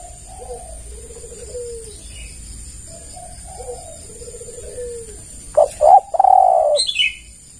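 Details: Lure call of a spotted dove for attracting others. Low, rolling distant coos repeat first, then a loud nearby phrase of two short notes and a long buzzy coo ends with a high chirp.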